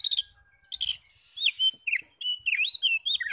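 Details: Oriental magpie-robin singing, meant to provoke other magpie-robins to sing back; rapid sweeping whistles and warbled slurs alternating with harsh bursts, one long thin steady tone early on.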